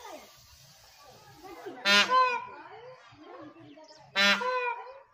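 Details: Peacock in India; two loud, harsh, nasal calls with strong harmonics, about two seconds apart, each one followed by a brief second note, over a background of overlapping chatter and crowd voices.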